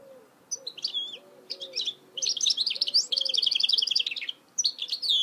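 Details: Mule goldfinch hybrid song: bright, rapid bursts of twittering and trilled notes, one long evenly pulsed trill in the middle, with low soft wavering tones repeated beneath in the background.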